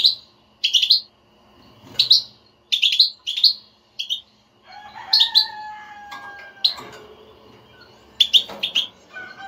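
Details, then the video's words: European goldfinch batbata twitter to make a silent caged goldfinch start singing: a rapid run of bright chirps opens, then sustained whistled tones overlap with further buzzy chirp clusters. "حسونك لا يغرد أسمعه هاته البتبتة وشاهد النتيجة"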